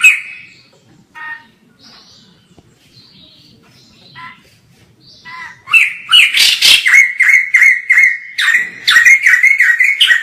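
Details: White-crested laughingthrush, or poksay jambul, recorded from a distance: faint scattered notes and soft background murmur at first, then a sudden loud, rapid string of whistled notes with level tones held between the beats.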